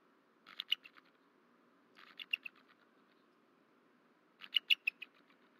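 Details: Wild bald eagle at a nest cam in Rome, Georgia, just after midnight on 13 March 2024, the male calling: three quiet bursts of rapid, high chattering notes, each fading out, over a low steady background hum.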